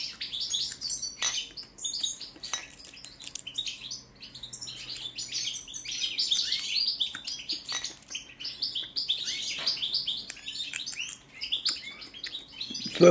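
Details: Song of a European goldfinch of subspecies balcanica: lively, liquid twitters and chirps with fast trilled phrases, broken by brief gaps and ending with a faint bump.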